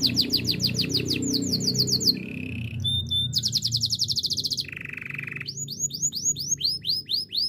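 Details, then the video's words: Canary training song: rapid downslurred note series, a low buzzing roll, a fast high trill, another buzzy roll, then bold arched whistles repeated about three per second. A low hum sits in the background. "Canary birds sounds!! The best canary training song"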